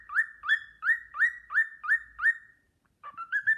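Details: A cockatiel whistles the Sportpalast Waltz with an admiring companion bird nearby: six evenly spaced, swooping whistles, each rising then held, then a pause and a short stepwise rising phrase.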